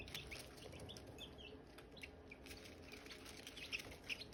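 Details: Silkie chicks chirping with hatching eggs: irregular short high peeps, several clearer ones near the end, over steady clicking and a low hum.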